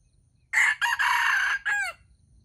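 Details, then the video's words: Wild red junglefowl crowing at a baited trap, birds competing to crow: one loud, harsh crow of three buzzy syllables, a long sustained middle note and a short clipped final note that bends downward, over faint insect hum. "The trap for wild chickens is baited with standard bait and the birds compete to crow"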